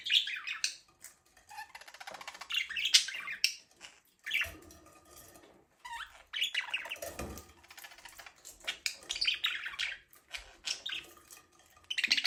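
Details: Pet budgerigar chirping indoors: bursts of bright, scratchy warbling chatter, several seconds at a time with short pauses, broken by a few sharp squeaks and light clinking.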